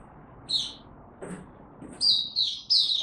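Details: Oriental white-eye, a kept song bird in buka tiong aw singing, 3 January 2022: a lone high chirp, a short pause with faint ticks, then a burst of three thin, sweet descending notes.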